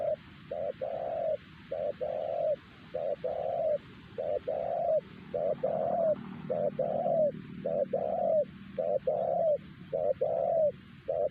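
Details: Spotted dove with a fine, loud voice, a wild bird that other wild doves would not answer, calling near a decoy: steady, hollow coos in repeated groups of short and drawn-out notes, closely spaced, over a low background hum.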